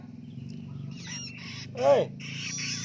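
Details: A newly independent young long-tailed shrike practising its song gives harsh, raspy bursts and one loud, arched squawk over a steady low mechanical hum.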